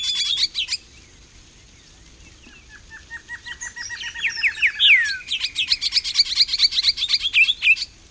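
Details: Grayish saltator recorded in Costa Rica with a Fujifilm XH1: a brief burst of high chirps, a pause, then a quick series of notes stepping downward, a falling slur, and a dense, rapid chatter of high notes.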